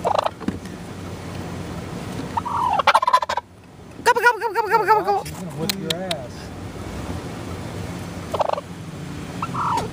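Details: A wild tom turkey in SE Michigan, early February 2013, on a dirt road while attacking an SUV's tires, gives one loud, rapid, wavering gobble lasting about a second, with several shorter calls around it; excited human voices talk throughout.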